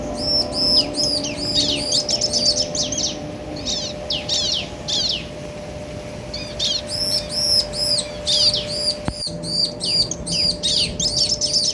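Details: Male and female bar-winged prinias answering each other, played to provoke other birds: rapid runs of high arched chips alternate with bursts of sharp downslurred notes, about two and a half per second, over a steady faint hum.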